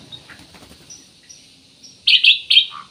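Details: Ruby-throated bulbul kept as a singing lure: soft scattered chirps, then three loud, rich whistled bursts in quick succession and a lower closing note.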